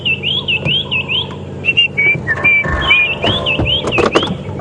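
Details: A White-browed Scrub Robin hidden in thick bushes at Djuma Game Reserve on a November morning with light drizzle sings clear, high whistled phrases looping up and down in quick repeated notes, over a low engine rumble and a few clicks.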